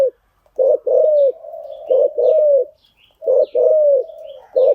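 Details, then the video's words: Cooing spotted dove used to tame newly trapped birds; gruff two-part phrases, a brief stuttered note followed by a long falling coo, repeated three times with faint high chirps of small birds behind. "tiếng chim gáy dùng tập chim bổi mới hiệu quả"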